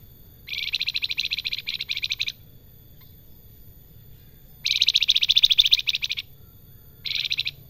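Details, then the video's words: Salakan singing actively, in a style described as flute-like: three bursts of rapid, buzzy trilled notes, high-pitched and dense, each lasting one to two seconds, separated by short silent pauses over a quiet low hum. "Salakan Gacor Besetane dan sulingan merdu pisan"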